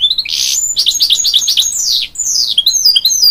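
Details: Goldfinch hybrid, crossed with a canary, sings to encourage young chicks: loud continuous warbling with a buzzy opening, a series of quick descending slurred notes, and bright high twitters.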